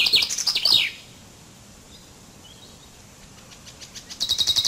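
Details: Common chaffinch finishing a rattling, descending song phrase with a sweeping end. After a near-silent gap with soft hiss and a couple of faint distant notes, another rapid, evenly repeated high trill starts.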